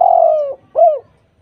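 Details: Spotted dove in full, melodious 'gacor' voice, used as a lure so silent doves answer. Two low, mellow coos: a longer first note sliding gently downward, then a shorter arched note, over a quiet background.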